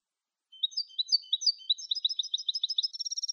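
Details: European goldfinch, clean Malagueño-style song for tutoring captive birds: a liquid, varied twitter of sliding high notes that speeds up into a rapid, even, buzzy trill at the close, with silent surroundings.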